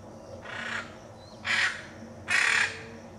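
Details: Three raspy screeches from a hyacinth macaw in the Pantanal, Brazil, each roughly a second apart and growing louder, the last the harshest.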